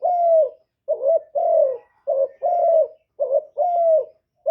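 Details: Decoy spotted dove calling to bring in wild doves, recorded cleanly. A steady string of about eight soft coos alternates long, slightly falling notes with shorter clipped ones, with little pause between them.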